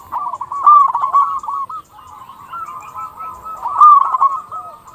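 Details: Local zebra dove singing steadily as a lure to prompt other zebra doves to call: near-continuous rolling coos with loud pulsed peaks, overlapping fainter doves.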